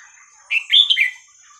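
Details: Red-whiskered bulbul, 'hua khrok khayao khuat' song played to teach young birds: one brisk phrase of a lead note and a tumbling trio of sweet whistled syllables, with a faint steady high tone.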